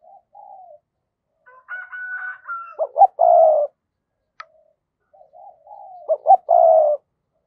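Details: Spotted dove decoy to provoke wild doves, repeating a phrase twice about three seconds apart: soft lead-in coos, quick notes and a long hoarse coo, another dove calling more faintly between.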